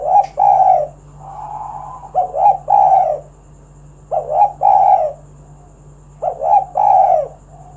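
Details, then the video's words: Spotted dove, a strong singer meant to coax other doves into song, repeating a mellow low coo phrase about every two seconds, four phrases in all, with a faint steady hum and a high thin tone behind. "Tekukur Kuk 1 Gacor Suara Panggilan Burung Derkuku agar Bunyi Gacor Manggung"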